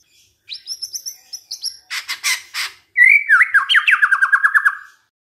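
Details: White-rumped shama song played to provoke other shamas: high thin whistles, a few harsh buzzy bursts, then a loud rapid trill of down-slurred notes that slowly drops in pitch.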